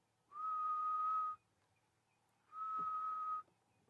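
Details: Grey-headed Bushshrike giving its mournful call, two long, steady whistles, each about a second on one mid pitch with a short pause, on a quiet sunrise morning in Djuma, Kruger area, South Africa, 5/2/2016.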